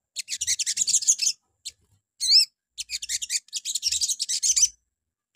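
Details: Sogon birds singing in the morning, a lure song used to provoke other sogon to answer: dense, high, rasping chattering bursts in rapid pulses with brief gaps, plus one short looping whistled phrase near the middle.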